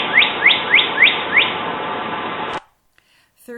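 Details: Northern Cardinal, Toronto, a winter bird whose males and females counter-sing to each other during territory formation and courting: five clear, upslurred whistles, about three per second, bright and rising; a brief human voice follows after a pause.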